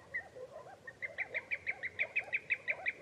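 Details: Common greenshank calling: a series of clear ringing notes repeated about three times a second, rising in strength toward the end, over a low murmur of other softer calls in the background.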